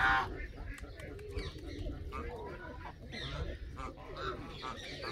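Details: Canadian geese calling, a loud honk at the start followed by scattered quieter honks and lower murmuring notes over a rumbling background.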